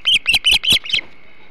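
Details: Osprey calling at its Hog Island nest while feeding on a huge flounder, 21 July 2016: five loud, harsh whistled chirps in quick succession, the last fading, then a steady background hum.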